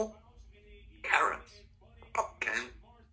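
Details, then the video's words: A 2-year-old female Congo African grey parrot, a pet practising words and sounds at home, talks in three short, throaty, word-like bursts over about three seconds, the middle one clipped and quick, over a faint indoor hum. "African Grey Talking Parrot practicing her words and sounds"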